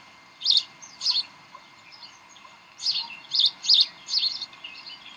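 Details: Bald eagles at the Decorah nest on 18 May 2012 around 7:45 pm, during tug of war and play; high, thin chirps in short bursts, about six clusters spaced unevenly over five seconds, with faint steady background hiss.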